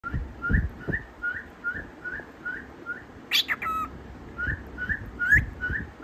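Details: A tame cockatiel, seemingly trying to impress, repeats short rising whistles, about two or three a second, broken by a brief harsher chatter; low room noise and thumps sit underneath.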